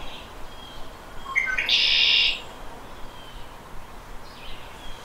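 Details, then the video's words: Shrill conk-la-ree of a red-winged blackbird, a call said to signal territory and attract females: a couple of brief lead-in notes, then a harsh, buzzy trill of about half a second, with soft background hiss. "Red-winged Blackbird Call - Shrill Sound"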